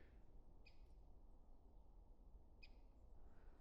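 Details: A Great Spotted Woodpecker, sex unclear, red rump seen, gives two sharp, high 'kik' alarm notes about two seconds apart, not drumming and probably directed at the observer. It calls on a cold January day in winter marshland, over a steady low rumble of wind.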